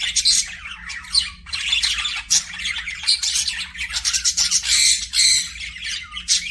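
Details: Budgerigars chattering in an aviary, a busy run of scratchy chirps, squawks and short warbles with loud bursts and brief dips, several birds together, low hum throughout.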